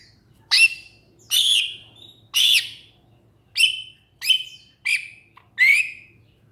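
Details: Greater green leafbird, or cucak ijo, repeating loud harsh squawking notes seven times at uneven intervals of under a second, each a rasping burst sliding downward, against a soft steady low hum.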